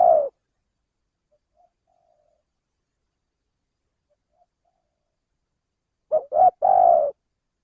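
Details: Male spotted dove from Indonesia, a lure recording for trapping: a clipped coo at the start, a long quiet gap, then a three-part coo of two short notes and a longer mellow note, with no other sounds.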